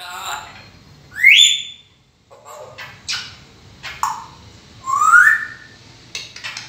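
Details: Talking grey parrot giving loud whistled notes, a sharp rising whistle, several short swept chirps, then a long rising-falling whistle, with brief clicks between, indoors.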